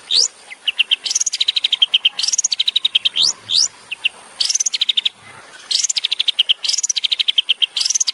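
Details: Long-tailed shrike master song for training songbirds, tembakan style: repeated phrases, each opening with a steep rising whistle and running into a rapid chatter of sharp notes, roughly every second.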